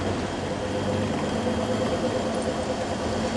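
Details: A vehicle engine idles steadily throughout with a low drone, and no animal is heard.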